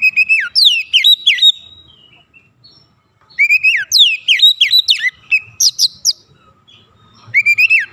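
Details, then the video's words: Lure recording of a white-rumped shama meant to provoke rival birds into singing: bursts of quick, bright whistled notes with sharp sweeps and chattering trills, separated by a two-second silence, then resuming. "PANCINGAN KACER ANTI BISU mancing Kacer lain cepat emosi dan gacor"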